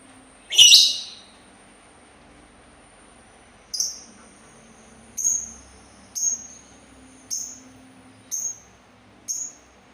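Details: Sultan tit: a loud harsh rasp, then after a pause six short high buzzy notes repeated roughly once a second.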